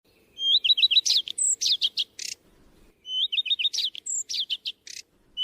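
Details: ['Redstart song: two phrases, each opening with a high thin note, then a quick run of repeated looping whistles, ending in scratchy, buzzy twitters, with a gap of about a second between phrases.']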